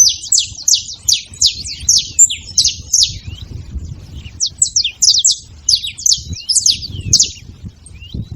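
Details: Saffron finch, known locally as canário-da-terra, making noise: rapid series of sharp, high descending chirps in quick bursts, some notes doubled, with a brief pause midway and faint low rumble beneath.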